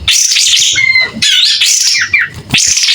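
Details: Clear-voiced song of a white-rumped shama that is singing freely and fanning its tail: three high, dense bursts of whistles and twitters, each a second or less, split by brief quieter gaps with a steady mid whistle.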